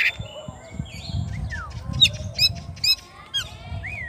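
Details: Oriental magpie-robin calling its rival, singing a loose run of sharp chirps, downward-slurred whistles and a rising whistle near the end, over steady low rumbling background noise.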